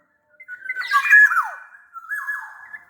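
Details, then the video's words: Black-naped oriole from Sumbawa singing as a lure for lazy singers: a rich whistled phrase with a sharp falling slur, then a softer warbled continuation. "SUARA KEPODANG GACOR pancingan kepodang agar bunyi"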